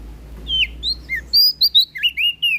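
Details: Energetic prinia song from NTB: a few scattered high whistled notes, then a fast string of clipped, sharply rising and falling chirps.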